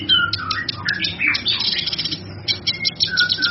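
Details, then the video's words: Cucak kinoi, offered as a tutor song for other birds: liquid whistled slurs alternate with dense high chattering, then a short pause and more whistles. "Suara Burung cucak kinoi"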